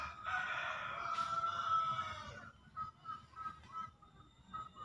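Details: Green junglefowl of Java on a master recording used to coax reluctant birds and lure in the wild; a crow fills the first two and a half seconds, followed by fainter repeated notes amid low rumbling noise.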